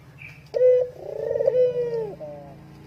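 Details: Spotted dove giving a luring call, a low resonant coo: a short firm note, then a drawn-out wavering hoot that dips at the end, a brief high chirp just before.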